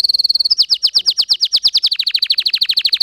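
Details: Canary training song: a fast even trill of high notes, then a run of rapid downward-sweeping notes repeated steadily, speeding slightly toward the end.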